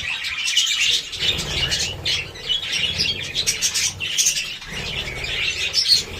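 A flock of budgerigars chatters nonstop in high, scratchy warbles and chirps that overlap into a dense twittering din, with some faint wing flutter and low rumble beneath.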